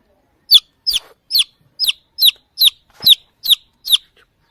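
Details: High, piercing chirps from a chick looking for its mother hen, nine downward-slurred peeps spaced about half a second apart, clear against a quiet background.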